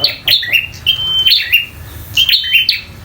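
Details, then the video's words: Bar-winged prinia in fighting mode, singing energetically: sharp chirps dropping into a flat, high whistled note, each phrase about a second long, with a brief gap between phrase groups. "PRENJAK LOKAL TARUNG GACOR‼️"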